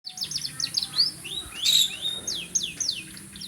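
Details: Canary singing a bright, high run of quick rising and falling whistled sweeps and short trills, phrases tumbling over each other for the whole stretch.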